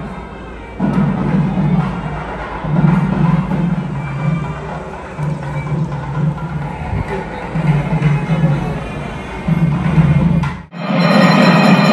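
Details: Steady rhythmic drumming and percussion music with a low pulse, and no animal voices anywhere.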